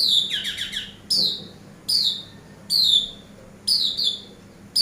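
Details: Master recording of a Eurasian tree sparrow (burung gereja) for training birds: a quick stuttering run of chirps, then five loud, squeaky downslurred chirps at irregular gaps of about a second, over faint low hum.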